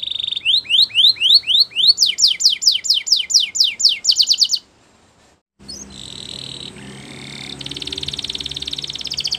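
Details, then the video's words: A Belgian canary sings in the morning: a run of rising whistled slides, then faster falling sweeps, a brief pause, and a buzzy rattling trill with a steady high tone, faint background hum. "Belgian Canary Singing In The Morning !! Beautiful Melodies"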